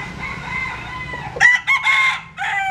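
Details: Bantam rooster, Japanese-Cuban type, sunbathing in southern Vietnam; after a steady background hum, a short broken crow of three harsh bursts and a brief tail note.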